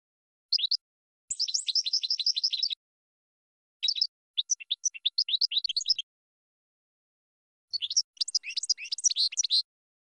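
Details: European goldfinch training song for cage birds: bursts of rapid, high twittering notes, some in fast even trills, separated by short silences across the recording.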